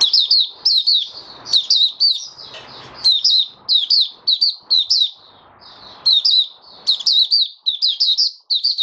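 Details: Oriental white-eye kept in captivity, singing openly five days after monthly deworming, January 2022: bursts of rapid, high, jingling chirps in short phrases, broken by brief pauses, with soft low household noise between.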